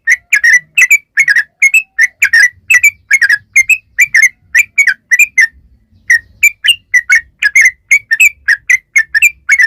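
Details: Lively yellow-vented bulbul song, used as a lure to make other bulbuls sing back. Steady stream of clipped, bright two-part chirps about three per second, with one short gap midway.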